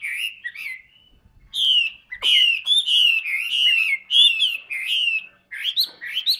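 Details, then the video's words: Large caged hwamei of the 'tam hoàng' kind in full song. Opening whistles give way to a burst of rich, rapid phrases, each note a sharp downward slur, with short breaks between bouts. "HM 227 tam hoàng bộ to đẹp hót rất nhiều"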